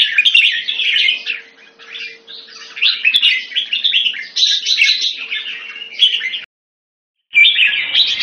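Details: Red-whiskered bulbul kept in a cage, singing a long, dense sequence of warbled, chattering phrases, broken by a sudden second of silence before the song resumes, a faint hum underneath.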